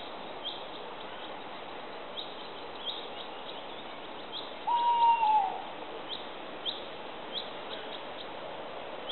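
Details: Tawny owl (Strix aluco) in southeastern Bilogora, upper Poilovlje, Croatia: one drawn-out, steady hoot, falling slightly at its end, rises out of a constant hiss with faint, evenly spaced high chirps behind it.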